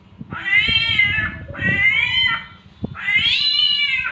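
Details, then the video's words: Myna known locally as samyong copying a cat's mating call: three long, wavering, cat-like yowls, each over a second, with short pauses between. There is faint background knocking and a low hum. "SAMYONG MENIRUKAN SUARA KUCING KAWIN"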